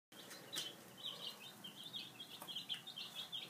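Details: Five-day-old domestic chicks at breakfast, peeping in high, short chirps that overlap continuously, with light pecking taps beneath.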